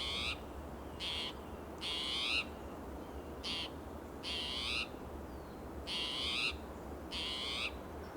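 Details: Agitated Spotted Towhee sounding alarm in territorial behaviour, hopping between coast live oak and Monterey pine, Del Monte Forest, California, June morning: harsh, buzzy, rising mewed calls about once a second, seven in a row; another towhee answers softer; low rumble.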